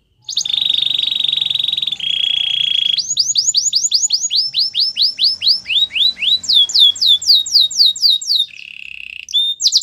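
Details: A canary's training song: a steady high trill shifting down a step, then a long run of quick downslurred whistled notes, a low buzzy tour and a final upward note.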